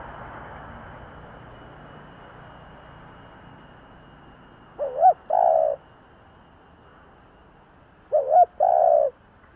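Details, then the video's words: Kept Spotted Dove decoy bird cooing in the "giọng thổ" voice style to lure wild doves. After a faint hissing background, two low coo phrases, each a quick wavering double note followed by a longer steady hoot, come about four seconds apart. "Tiếng cu gáy giọng thổ gáy gọi kích bổi / Cu gáy giọng thổ / Cu mồi giọng thổ gù gáy kích bổi chuẩn"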